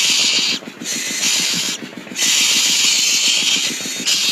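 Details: Loud, sharp hissing like a spray or rasp, cut by two brief pauses, over a fast regular low pulsing, with no bird voice audible.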